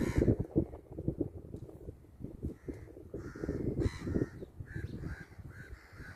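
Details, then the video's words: Crow cawing: harsh, hoarse caws in short bursts, most distinct in the second half, over heavy low rumbling and handling noise throughout. "crow making sound"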